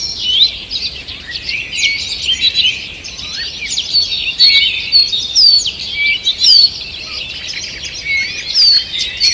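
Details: Birds in a forest at morning, 2 June 2023, singing together: busy high twitters and trills, bright whistled notes repeated every second or two, several distinct louder slurred calls standing out, faint hiss behind.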